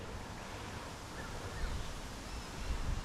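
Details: Low rumbling wind buffeting the microphone with a surf-like wash, swelling louder near the end, and no animal voices.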